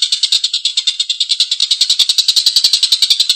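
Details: Collared kingfisher, lively and loud, uttering a rough laughing call: quick, buzzy notes repeated about three to four times a second in an unbroken chatter.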